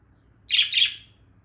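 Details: Angry, indignant female budgerigar kept as a pet, hopping back and forth; one short harsh double chirp, high and scratchy, with a woman speaking Portuguese just before and after.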